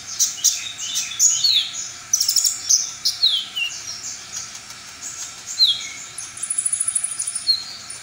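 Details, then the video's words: Brown-throated sunbird singing a varied full-repertoire song said to provoke other sunbirds. It has rapid high chirps and downslurred whistles, then a long thin high note with a fast ticking trill near the end. "konin lain bakal emosi dan bongkar materi"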